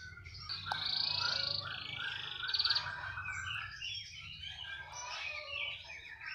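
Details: A captive canary, said to keep singing wherever it is placed, sings in the morning: a steady run of bright, high trills and rolls shifting pitch from phrase to phrase, with a low hum behind.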